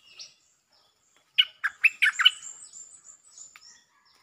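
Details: Bulbul lure song of six loud, bubbly chirps in a fast run, followed by softer trailing notes and a thin, high whistling tone in the background.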